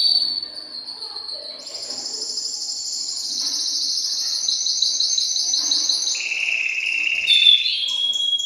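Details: Excited caged male canary singing to stimulate a female to mate. Rapid high rolling trills and buzzy pulsed phrases run continuously, then shift to a lower, steadier trill near the end.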